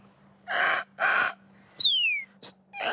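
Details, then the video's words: Eurasian jay alarm in a forest, signalling that people have been spotted; other birds usually fall silent. Harsh, rasping screeches come two in quick succession with another starting at the end, and another bird's clear downslurred whistle between them. "-C'est mauvais signe d'entendre le geai. On a été repéré, c'est l'alerte de la forêt."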